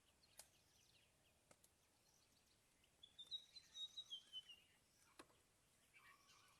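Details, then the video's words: On a morning safari drive in Ceylon, with the engine off, a white-browed fantail calls in the background: a short, high phrase of clear whistled notes that climb and then fall, with faint clicks and soft outdoor hiss. "You can hear the calls of a white-browed fantail flycatcher calling there in the back as well."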